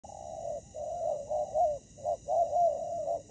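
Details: Spotted dove decoy in ground trapping meeting fierce wild fighting doves: low hollow coos run together in a near-continuous burbling stream, with short clipped notes and longer wavering ones over about three seconds, in a quiet setting.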